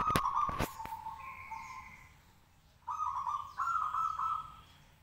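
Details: Caged local zebra dove in full song to provoke other doves into answering; loud knocking clicks open, then two rolling, trilled coo phrases follow a quiet gap.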